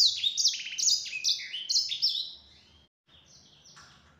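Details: Yellow-fronted canary song used as a lure for other canaries: a burst of rapid, bright descending notes lasting about two seconds, then quiet, then softer high notes.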